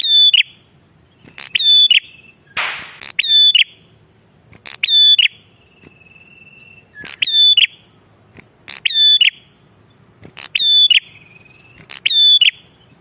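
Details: Bar-winged prinia in full, lively voice, used as a lure for wild males and females: loud, buzzy, ringing notes with sharp leading clicks, repeated about every one and a half seconds, with thin whistled trills between.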